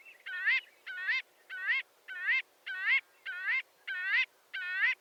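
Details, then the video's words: Series of strong, nasal Marbled godwit calls, each a brief honking note curving upward at the end, spaced regularly about every two-thirds of a second. "Marbled Godwit Sound"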